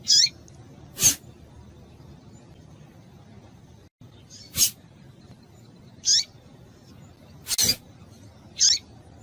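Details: Female double-collared seedeater in breeding condition, calling to stimulate a male: short, high, down-slurred chirps spaced a few seconds apart, with sharp broadband clicks between them.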